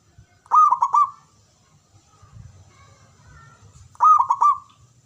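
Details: Zebra dove cooing, played to coax silent doves into singing. Two phrases about three seconds apart, each a burst of clipped, rapid coos ending in a brief drawn-out note. Low background murmur between them.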